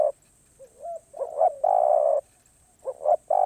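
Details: Spotted dove, 'karom pa roi' song sung off cue: a soft gliding whistle, two rising short coos, then a long, smooth, low coo. A new phrase starts just before the end.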